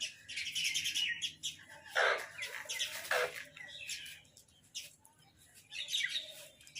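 Two harsh, rasping caws about a second apart from a crow, over a background of high, rapid chirping from smaller birds.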